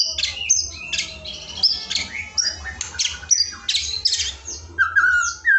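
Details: White-rumped shama tutor song for coaxing a lazy shama into singing: busy high chattering and sharp whistled notes in quick bursts, ending on a clear sustained whistle, with a low background hum.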